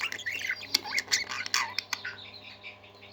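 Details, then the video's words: A burst of lively budgerigar chatter: quick sharp clicks and squeaky, buzzy warbled notes tumbling rapidly, then tapering into softer twitters, with a steady hum beneath. "Happy Parakeets Singing"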